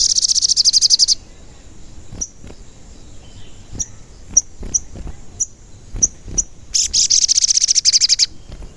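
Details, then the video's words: Sogon, the crimson sunbird, in a recording used to lure and agitate its own kind. Rapid high trills open and close the clip, with thin cuit cuit chips scattered between them. "Pancingan Sogon Agar Bunyi dan Emosi"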